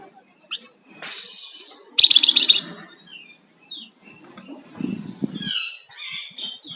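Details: Flamboyan songbird singing actively, giving bright high chirps and short whistled phrases in scattered bursts, with a loud harsh rattling burst near the start and some low rustling sounds partway through.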